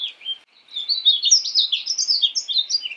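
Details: A quick high warbling phrase from a painted bunting, notes jumping up and down in a continuous bright twitter after a short opening note.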